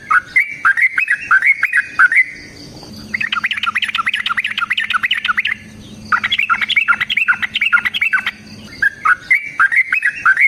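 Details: Long fighting song of a sooty-headed bulbul, meant to provoke other bulbuls into singing: rolling phrases of quick whistled notes alternate with faster chattering runs, each lasting a few seconds, with a faint low hum underneath.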